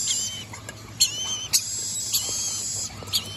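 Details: Red-collared lorikeet gives shrill, thin screeching held in long high whines, broken by sharp clicks and chips about every half second.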